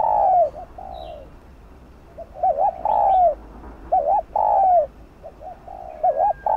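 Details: Spotted dove used to lure wild doves in the Vietnamese countryside: several two-part coos, a short wavering note then a long sliding one, loud and soft phrases overlapping, with a few thin high chirps.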